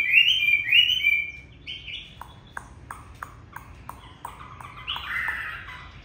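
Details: Caged home hwamei of China singing on a bitterly cold day, feathers not fully grown; two loud whistled slurs, then sharp clicking ticks about twice a second, ending in a rising warbled phrase.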